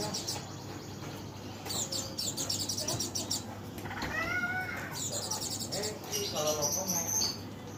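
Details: Oriental white-eye performing "dakun" song: dense, fast, very high trills repeated in bursts, plus a lower wavering, rising-falling whistled sound midway, over constant low hum.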